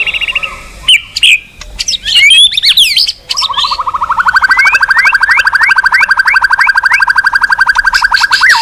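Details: White-rumped shama singing varied clear whistled phrases, rising slurs and sharp notes, then a long fast run of rapid repeated notes climbing steadily in pitch, roughly three per second, lasting over four seconds.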